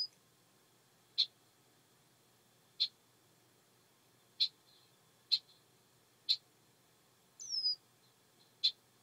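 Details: Red-winged blackbird mating call in a swamp: sharp, short high notes repeated about every one to one and a half seconds, with a single thin descending whistle near the end over a quiet background.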